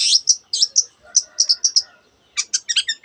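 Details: Long-tailed shrike in full song, mimicking canary and many other birds: short high whistled notes in quick bursts, then a cluster of sharp chattering chirps after a brief pause.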